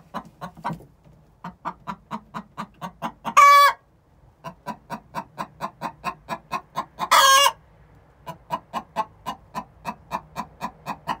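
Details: Egg song by two six-month-old hens ahead of laying: rhythmic clucking runs, each climbing to a loud, strained squawk, twice over, then settling back into even clucks.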